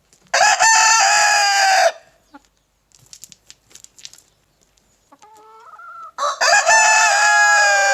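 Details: Leghorn rooster crows loudly for about one and a half seconds, followed by scattered clucks and a softer tonal call, then launches into another strong crow near the end.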